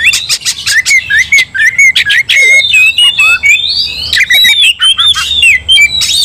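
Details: Oriental magpie-robin provoked to fight and spreading anger to a rival: steady repeated whistled phrases, each slurring up and down, broken by harsh noisy bursts every half second or so.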